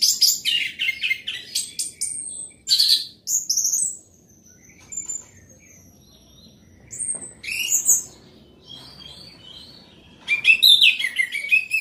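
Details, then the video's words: Orange-headed thrush in loud, continuous song, with buzzy, dense chatter opening, then clear whistled slurs, a long thin note, pauses, and a final burst of sweeping, descending phrases. "Anis merah gacor volume keras"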